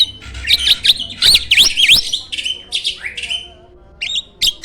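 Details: Champion starling of competition standard, serving as a training master for songbirds, delivers a harsh burst of rapid zigzag chirps and buzzy notes, then one long falling whistle and a few sharp squeaks after a pause.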